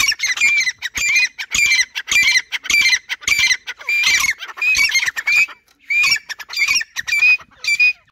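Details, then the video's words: Grey francolins, two males and two females, calling back and forth as they see each other: loud, shrill, ringing notes repeated steadily almost twice a second for eight seconds, with a brief pause midway. "Jungle desi teetar awaz | new francolinus voice | gora teetar speaking"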